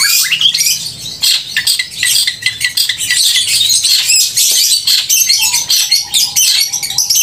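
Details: Long-tailed shrike in full, loud, crystal-clear song, used to provoke emotion and mating urge in other shrikes; dense rapid stream of high scratchy chirps and trills, with a few steady low whistled notes near the end.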